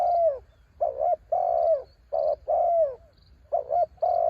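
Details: Spotted dove song on a windy day: a run of rounded coos, a long falling coo followed by short doubled notes and level coos, with constant low wind rumble underneath.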